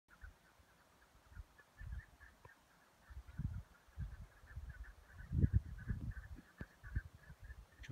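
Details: Chukar calling to find each other: a long, steady run of short, clucking chuk notes repeated quickly throughout, partly masked by heavy low rumbling wind or handling noise in bursts.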